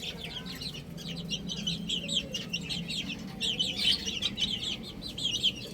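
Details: Several baby chicks peep steadily while feeding and playing, with shrill, quick chirps overlapping into a busy chatter over a low background hum.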